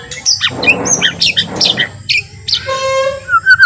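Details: White-rumped shama giving gentle song to provoke rival shamas; short scattered chirps and whistles over a rushing background noise, ending with steady, drawn-out whistled tones.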